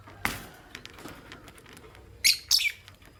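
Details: Green Personata and albino lovebirds in the morning: a soft click, then two closely spaced loud, shrill, high chirps near the end over light background rustle.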